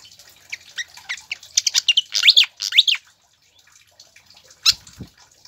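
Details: Pied fantail singing, played to stimulate kept birds to sing: rapid high squeaky notes building into loud arched, rising-then-falling whistles, a brief pause, then one sharp note with a soft low knock.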